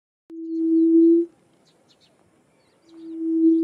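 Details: Barred buttonquail (Turnix suscitator) calling: a low, steady humming boom about a second long, a short pause, then another; faint high chirps behind.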